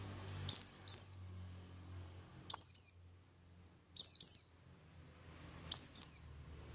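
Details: Pleci buxtoni white-eye in ngalas song used to trigger replies from other white-eyes: paired high, piercing downslurred whistles repeated about every 1.7 seconds, with a faint low hum in the background.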